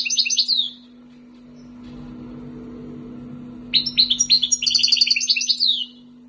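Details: Two years in captivity after being taken from the wild, an Algerian goldfinch sings tibatbati phrases: bright rapid twittering trills, silence for about three seconds, then a longer dense run of high chirps, a low hum beneath.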